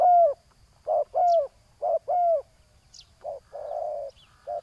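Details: Spotted dove calling while a decoy bird lures a rival, giving deep hollow coos, each slightly falling in pitch, in pairs and short runs about once a second, with faint high chirps from other birds.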